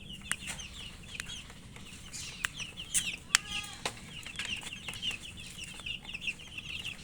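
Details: Feeding chicken chicks give rapid high cheeps throughout while their beaks tap loudly in sharp clicks every second or so; one harsher, buzzier note breaks in after about three seconds.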